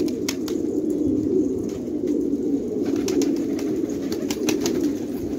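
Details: Continuous soft, guttural cooing from a group of Afghan fighting tumbler pigeons in a Khanabad village, with occasional isolated clicks and knocks.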